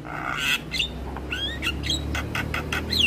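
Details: Short burst of Javan myna song meant for training young mynas: thin rising whistles alternate with harsh clicks and squawks over a soft low rumble.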